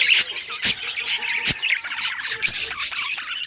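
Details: Happy budgie song in a home setting, busy overlapping chirps, squawky notes and loud clicks, with a softer ticking sequence partway through.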